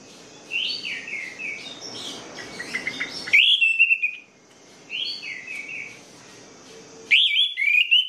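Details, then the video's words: Song of an orange-headed thrush, used to prompt lazy, silent birds to sing: quick sequences of slurred whistles, with loud bright phrases starting abruptly twice, over a continuous high-pitched hiss. "PANCINGAN ANIS MERAH MACET DAN MALAS BUNYI"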